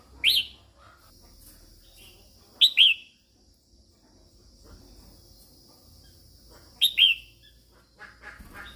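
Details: Female red-whiskered bulbul giving calls meant to excite males: three loud, clipped two-note slurs falling in pitch, spaced a few seconds apart, with a quiet thin tone lingering in the background.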